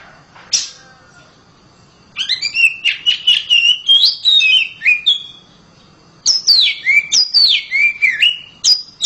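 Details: Home-kept oriental magpie-robin in loud song: a lone high note, then a long, fast run of varied whistles and chips. After a pause comes a second stream of bright, downward-swooping whistles.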